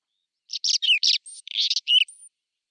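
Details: Male-style spring song of a whinchat, April 2020, woodland: one brisk phrase of scratchy buzzes, short whistles and a thin high note near the end, lasting under two seconds, clean background.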